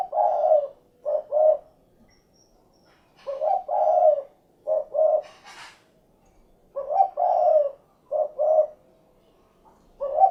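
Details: Spotted dove (derkuku) cooing: groups of two or three short low notes ending in a longer coo, phrases spaced about two seconds apart; a brief rustling noise interrupts midway.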